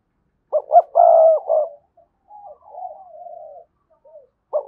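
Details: Spotted dove cooing as a decoy to make other doves coo: a full phrase of two short notes and a long mellow coo, followed by softer, fainter wavering coos and the start of another phrase.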